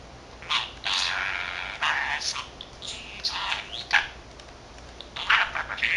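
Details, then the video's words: Male budgerigar, 13 months old, chattering away to himself; he speaks Korean and Japanese words. Quick run of scratchy, voice-like bursts and short squeaky warbles that rise and fall, with brief pauses between phrases. "Talking Parrot 말하는 사랑앵무(잉꼬) しゃべるセキセイインコ"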